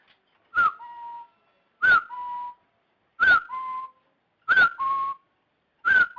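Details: Lure recording of a rufous-throated partridge for trapping: sharp whistled notes, each dropping into a flatter, lower held whistle. Five phrases come at steady intervals of just over a second, with no other sounds.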